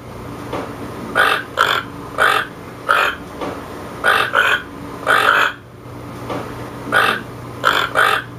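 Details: Toucan croaking repeatedly: about a dozen short, raspy, frog-like notes, often in close pairs, at an uneven pace, with a low steady hum underneath.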